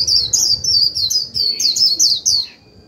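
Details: Japanese white-eye lure bird in líu song, meant to trigger other birds into singing: a loud, fast, unbroken string of high wavering chirps, about a dozen in under three seconds, then fading to quiet.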